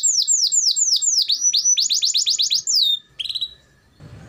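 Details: Canary singing to stimulate quiet canaries: a run of sweeping, downslurred whistled notes about four per second, quickening into a rapid series, then a short buzzy trill and faint background noise at the end.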